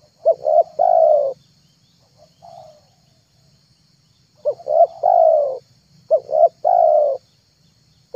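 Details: Lure recording of a spotted dove for attracting wild or mute doves: two short coos and a long throaty note, repeated in three phrases with a quiet pause and a soft coo between.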